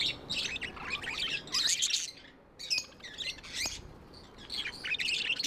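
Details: Several tame pet budgerigars chattering in bursts of fast, scratchy, high chirps and warbles, loud stretches broken by brief quieter pauses.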